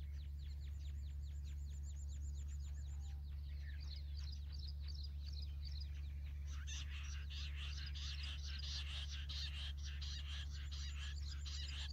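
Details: Jungle bush quail call used to lure and catch wild quail: a fast run of sharp, clicking chirps, then louder, harsher chirping bursts, with a constant low hum underneath.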